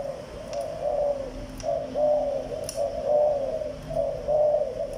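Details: Spotted dove of a Malaysian line cooing. Soft, low, hollow coos come in steady repeated phrases roughly once a second over a constant background hum, with a few faint clicks.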